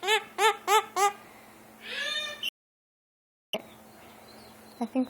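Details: Pet burrowing parrot giving four quick harmonic squawks in a row, each evenly spaced, then a brief breathy sound; after a moment of silence come a few softer clicks and notes.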